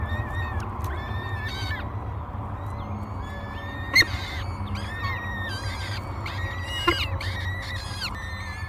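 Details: Peregrine falcon nestlings, three hungry chicks at Great Spirit Bluff, beg as breakfast is delivered on 24 May 2022. Repeated high, slurred wails with rising and falling ends come in quick bursts, with a few sharp knocks and a low background rumble.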